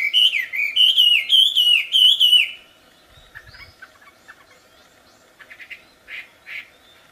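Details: Wild wambi bird singing actively: loud, clear whistled phrases with rising and falling slurs, repeated about four times in the first two and a half seconds, followed by soft, scattered chirps and faint twitters.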